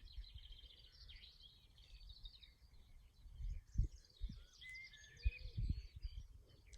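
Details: A Eurasian skylark sings faintly in the background beside a lake with a railway line nearby, a high continuous fluttering warble under low rumbling wind and thumps.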